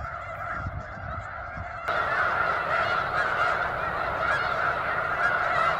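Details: Snow geese by the thousands at McNary National Wildlife Refuge, Washington, their chorus of overlapping honks suddenly growing louder and fuller partway through and staying constant.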